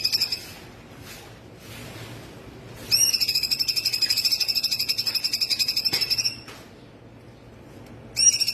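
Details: Full 'tembakan' song of a cungkok laughingthrush, kept as training material for other birds: after faint chips, a long machine-gun trill of sharp high pulses runs for about three and a half seconds, then a new burst begins.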